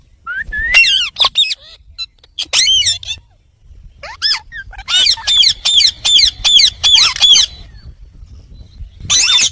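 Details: Indian ringneck parakeet calling loudly, opening with a rising whistle-like squawk, then scattered screeches and a fast string of about ten harsh, evenly repeated squawks near the end.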